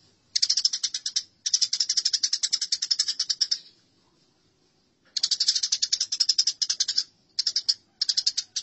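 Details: Long volleys of harsh, rapid chirping from fighting house sparrows, two extended runs separated by a quiet gap, followed by shorter bursts.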